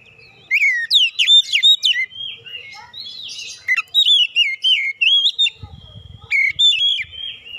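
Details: Lure song of an oriental magpie-robin meant to make other birds sing: rapid bursts of sharp whistles, chirps and slurred notes, busy and varied, with a brief low rumble near the end.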